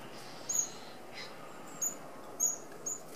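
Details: Red-browed finches feeding together as a flock at an open aviary feeder in Australia; thin, very high, brief piping notes scattered irregularly, five or six across the stretch, with soft background hiss.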